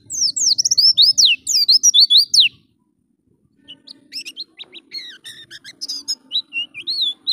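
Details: High, fast twittering of an Oriental white-eye meant for training pet birds: a dense run of slurred whistles, a brief silence, then spaced sharp chips and looping whistled notes.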